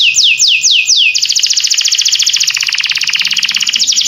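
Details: Canary song beginning with four high, downward-swooping notes, then a long, fast, pulsing trill that shifts slightly lower midway, over a faint low hum.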